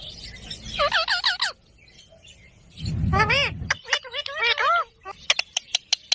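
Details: Green parrot producing speech-like calls: bursts of wavering, harmonic syllables in short phrases with pauses between, ending in a string of brief sharp clicks; low voice-like rumble underneath.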